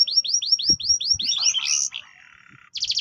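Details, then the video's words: Orange Loper-series canary singing clear roll and tembak phrases: a rhythmic run of high down-slurred whistles about eight per second, a short buzzy jumble, a soft low rattle, then more bright rapid notes. "Kenari Loper Roll Tembak Jernih"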